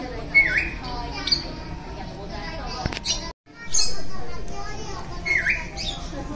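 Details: Green-cheeked conures grooming each other at an indoor animal petting school in a shopping mall in Matsuyama, Ehime; one gives two brief, harsh squawks about five seconds apart, over steady room noise and faint voices.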